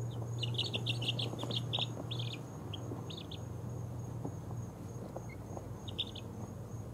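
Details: Two-week-old baby chickens, mixed ISA Brown, Barred Rock, Easter Egger, Speckled Sussex and Australorp chicks, falling asleep: soft high peeps in quick clustered bursts, then sparser single cheeps, over a steady low hum.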